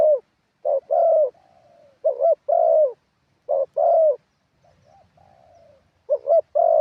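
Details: Decoy spotted dove singing in a wild style, mixing stressed and supporting phrases: groups of two or three loud mellow coos, each group ending in a faint, sliding, descending tail note. The pattern repeats several times, with quiet gaps between groups.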